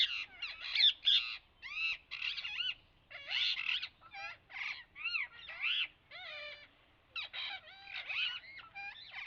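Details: Parrot calls: rough squawks mixed with bending, whistled notes that rise and fall. The calls come in uneven clusters with short gaps between them.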